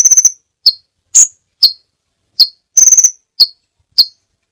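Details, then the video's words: Crimson sunbird song, recorded for teaching other songbirds: thin, very high chips and brief rattling trills. Each note is sharp and separate, with clean silence between bursts. "masteran burung sepah raja banyak variasi ( suara audio kicau burung )"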